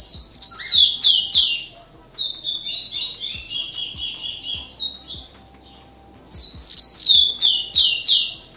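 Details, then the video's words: Rufous-collared sparrow (tico-tico) singing the song style called ligeirinho: loud, high, clear phrases of quickly descending slurred whistles, a buzzy trilled middle section, then the slurred phrase again after a short pause, with faint low knocks beneath. "canto do TICO TICO ligeirinho"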